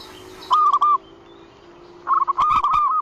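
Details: Zebra dove call used as a lure to attract other zebra doves: two bursts of rapid, mellow, clipped coos, the second phrase longer and rolling, over a faint steady hum.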